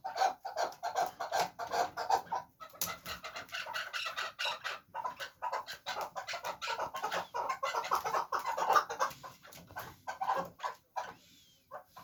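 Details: Fighting chukar partridge calling in long runs of fast, raspy chuck notes, loud and tightly packed, broken by a short gap partway through and fading near the end.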